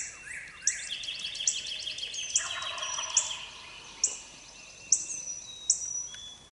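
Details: Eastern wild turkey gobbler in Mississippi in the early morning, hunting season: one rough, rolling gobble around mid-clip, partly masked by many high, sharp songbird chirps repeating throughout.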